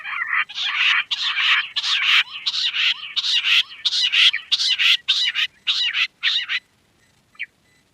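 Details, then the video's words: Quail giving strong, rasping, buzzy bursts, roughly one and a half per second, with a faint underlying trill, then quiet and a single short note near the end. "Queen quail sound || Lohari ka Awaaj"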